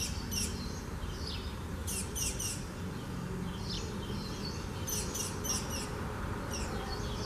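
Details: Spanish sparrow singing at Gáldar, Gran Canaria, in March 2017: bright, high chirps in quick bursts of three or four, repeated every second or two over a steady low rumble.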